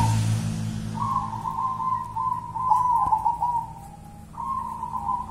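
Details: Local wild-type zebra dove, called 'perkutut kuntilanak', delivering a long, steady, slightly rolling coo phrase followed by a second starting note, over a low background hum.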